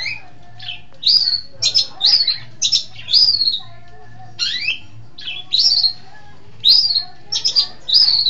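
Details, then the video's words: Long-tailed shrike from East Java, a lively singer, giving sharp, high, slurred and chattering notes in short bursts separated by brief pauses; a faint low hum runs underneath. "Burung Pentet Jawa Timur Cerdas Gacor"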